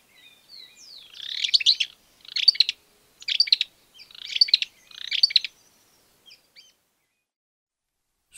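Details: In Argentina, a Greater Wagtail-Tyrant gives five loud, scratchy chattering bursts, high-pitched and roughly one per second, with soft short notes before and after.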